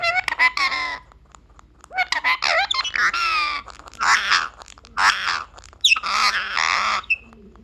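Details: A pet parrot talking, its voice a series of clear harmonic, speech-like phrases and squawky bursts, some rising and falling, with pauses between, and a person speaking briefly.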